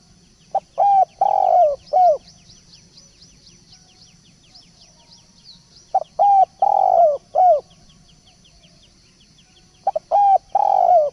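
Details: Repeated cooing phrases of a spotted dove, as played to lure the species. Three phrases come at roughly four-second intervals, each of short and long low coos ending in a falling note. Rapid high chirps of other birds between.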